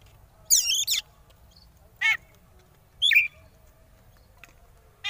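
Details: Provoking 'konslet' song of an oriental magpie-robin, kacer, for rivals to answer: one loud warbled burst followed by short harsh buzzy notes spaced about a second apart.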